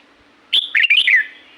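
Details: Red-whiskered bulbul singing in the natural La-u forest, Thailand: one short, bright phrase of about five quick slurred whistled notes, the first sustained and high, the last gliding downward, over a faint low steady hum.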